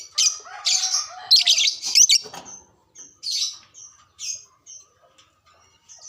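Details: Lovebird singing in a cage, used as a stimulus to excite other lovebirds, produces loud harsh twittering bursts early on, then scattered thin high chirps and squeaks that grow quieter.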